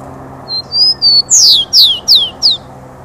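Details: Rufous-collared sparrow singing loudly: a few clear, high whistled notes on a nearly level pitch, then four sharp, emphatic downslurred notes falling steeply in quick succession, over a steady low background hum.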